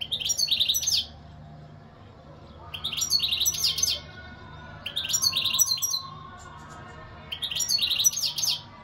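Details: Singing goldfinch delivering four short bursts of fast, tinkling, twittery notes, roughly every two seconds, each phrase bright and high with quiet between.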